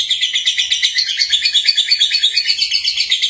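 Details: A young lovebird (Agapornis) sings a fast, continuous run of shrill, high chirps and chatters, pulsing about three times a second; such a voice is said to attract other young lovebirds.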